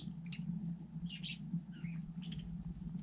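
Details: Budgerigar on snow in freezing cold, giving short, scratchy chirps and warbled squawks in quick bursts over three seconds, above a steady low hum.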